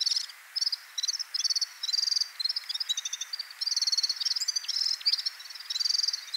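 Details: Red-fronted serin (Serinus pusillus) giving a run of short, high, buzzy trills, each burst under half a second, following one another almost without pause in a thin, jingling stream.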